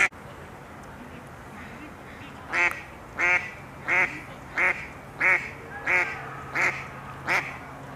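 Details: Female mallards quacking and arguing over males in mating season while males bob their heads in courtship: loud, harsh, rasping quacks about every 0.7 seconds over a low hum.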